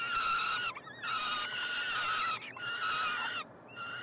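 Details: Nestling peregrine falcons, three chicks hatched late May 2022, begging at feeding time in a University of Montreal nestbox, Canada. Three long, grating, steady screams, each over half a second, are separated by short breaks with a faint wavering note between.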